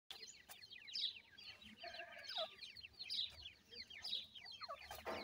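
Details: Grey francolin chicks, known locally as dakhni teetar, with a pair of adults: many high, thin peeping notes, each sliding downward, given in quick overlapping runs with short pauses between bursts.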